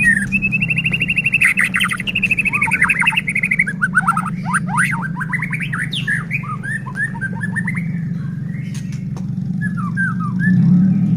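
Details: White-rumped shama song used to goad other shamas into singing and agitation: a long, steady high trill, then rapid descending slurred notes and scattered chips, fading toward the end, with a persistent low hum throughout.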